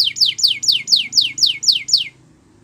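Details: Eight evenly spaced down-slurred whistled notes, about four per second, from a Belgian canary singing for the training of young canaries.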